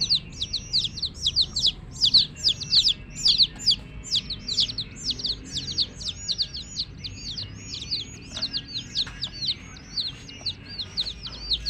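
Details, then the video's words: A brood of coloured chicks with a hen keeps up a dense chorus of shrill, descending cheeps, many birds calling over one another without pause. "LOVELY Hen Baby Chicks, Witty MURGI Baby "Chicks Chirping" Sound"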